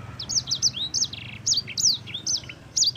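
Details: Gacor song of a yellow-fronted canary used as a masteran tutor track: a fast chain of bright whistled swoops and short buzzy trills, high-pitched and continuous, with faint low background hum.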